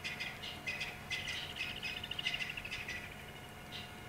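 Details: Helmeted guineafowl give harsh, grating alarm calls in an uneven, rapid chatter of rasping notes, with no obvious threat in sight, at sunset on 2 February 2016 in Sabi Sand, South Africa.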